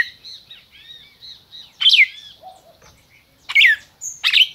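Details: Captive red-crested cardinal from Brazil: soft, thin whistled notes at first, then three strong, sharp down-slurred chirps spaced over about two seconds.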